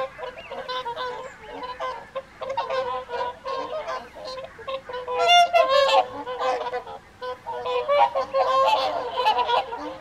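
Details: Whooper swans on the Folly Pond at Caerlaverock during the evening feed in January 2023; irregular bursts of honking from many birds, louder trumpeting peaks midway and near the end.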